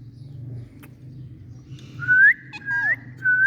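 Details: Indian parrot giving three loud rising whistles in quick succession after a quiet start, low hum underneath.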